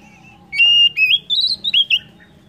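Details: Oriental magpie-robin song played to encourage other birds to sing: a long clear whistle followed by rising and falling warbled whistles, several short slurred notes, over a low background hum.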